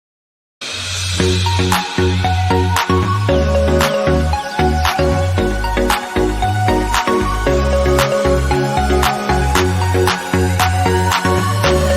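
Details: Electronic dance music with a steady drum beat, deep bass and synthesizer tones, and no animal voices.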